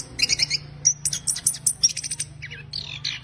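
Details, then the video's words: Orange-headed thrush giving fast, harsh, scratchy chatter in dense bursts of high notes with brief pauses between phrases, used as a lure to prompt silent birds; a faint low hum runs underneath. "ANIS KEMBANG NGERIWIK KASAR"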